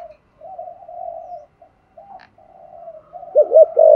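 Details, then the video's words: Spotted dove (cu gáy) cooing in the thổ voice style, used to stimulate other doves to coo: soft, drawn-out low coos, then a burst of loud arched, wavering notes at the end. "cu gáy thúc gù giọng thổ hay và chuẩn nhất 2023/ tiếng chim cu gáy kích bổi"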